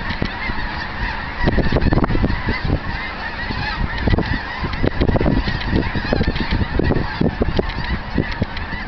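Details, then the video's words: Snow geese by the thousands rising from a field where they had been feeding, near Eagle Lake, Texas, winter 2011. A massed roar of overlapping honking with constant rough, noisy texture. "Snow Geese"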